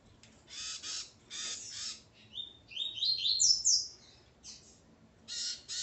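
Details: Coleiro male with his female: harsh buzzy rasping bursts open and close the passage, framing a quick climbing phrase of high chirped notes in the middle.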